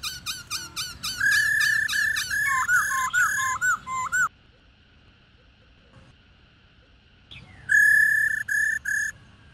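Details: A female black-throated laughingthrush calls to attract males and set them singing. Fast rolling slurred notes run into loud flat whistles, then a pause with a faint steady tone, then a final burst of four even whistles.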